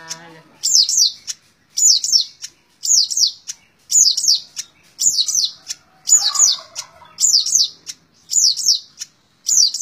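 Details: Long-tailed shrike singing in the rapid, continuous 'tembak ngebren' style: a high, sharp, descending chattering phrase repeated about once a second, steady and loud, with brief low notes at the start.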